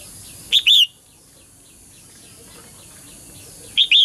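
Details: Crisp double chirp, a brief high note then a longer bending whistle, sounded twice about three seconds apart by a female bird calling males to sing; faint ticking calls and steady hiss behind.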